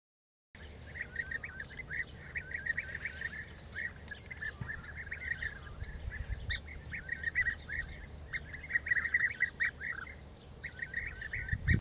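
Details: A group of European bee-eaters calling in the dehesa of Doñana, Andalusia, Spain, with dense bursts of short trilled notes from overlapping birds, brief pauses between bursts, and low rumbling background noise throughout.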